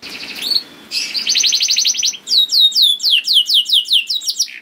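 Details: Canary singing, played to prompt other canaries into song: a rapid buzzy trill, then a quick series of descending whistled notes about four per second.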